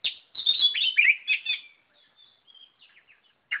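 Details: Energetic Oriental magpie-robin song: a dense, fast stream of mixed whistles and chattering notes, fading into soft, scattered high chirps before one loud note at the end.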